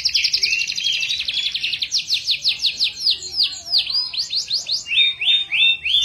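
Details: Canary singing: fast trills of rapid descending notes, changing into repeated upward-curving whistles and then a run of slurred notes, bright and continuous, several notes per second.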